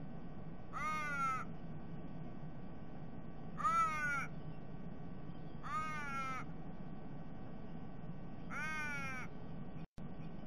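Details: Four evenly spaced, wailing, nasal raven calls about two seconds apart, each one drawn out and wavering, over a constant low rumble. The birds were a family of three, a fledgling begging a parent, raiding a sea-eagle's eggs.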